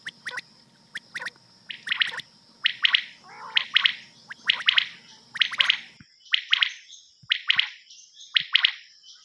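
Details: Rain quail call from a night hunting cassette: paired, sharp, buzzy notes repeated at fairly even intervals over a low hum that cuts out halfway through.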